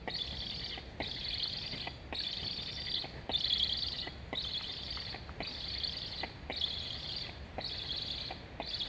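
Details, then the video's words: Black stork young on their nest in Estonia, nest camera, 26.08.21, asking to eat as a sibling flies nearby; a long series of hoarse, buzzing chirps pulsing roughly once per second. "Sibling flying along the nest, Julge 7181 asks to eat. Both are chirping."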